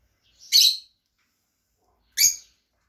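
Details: Kept Fischer's lovebirds, a pair of pets, give two piercing high chirps about one and a half seconds apart, the first slightly longer and rougher, against a silent background.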